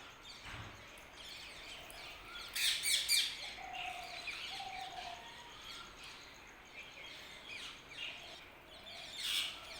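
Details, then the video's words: Birds chirping in the early morning: faint high chirps and brief twittering bursts, with a few soft, low, drawn-out whistles, over steady background noise. "Early morning # Birds # chirping"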